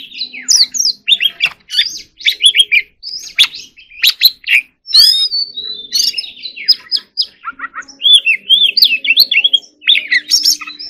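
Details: Competition white-rumped shama giving a varied song of sharp chips, harsh bursts and swooping whistles in quick succession, with faint low background hum beneath.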